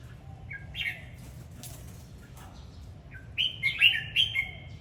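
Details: Dancing red-whiskered bulbul sings a short whistled phrase, a soft flutter follows, then a longer louder sequence of four bright warbled slurs near the end, all over a faint low hum.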